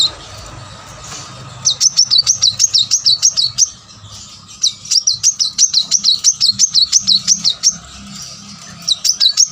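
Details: Plain-throated sunbird giving energetic song used to draw other caged birds into singing: two long bursts of rapid, rolling high whistled notes separated by a short pause, with another burst starting at the end.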